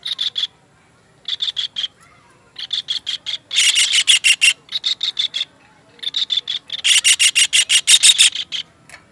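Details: Kingfisher call used to train songbirds: harsh, staccato notes in groups, starting with short soft clusters and building to loud, dense rattles of ten or more fast notes.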